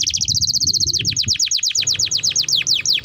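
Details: Canary training song with a quick high trill leading into a run of clear descending whistled notes, evenly repeated several times a second, with light background noise.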